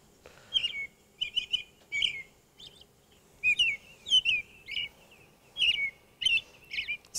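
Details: American Robin singing its sing-songy 'cheerio, cheery me' caroling phrases that rise and fall, in quick bursts with brief pauses, over a faint low hum.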